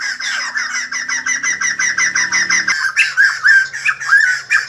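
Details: White-crested laughingthrush singing and dancing like a ballet dancer, with a pulsing series of hoarse, evenly spaced chuckles about four per second, turning more varied and swooping in the last two seconds.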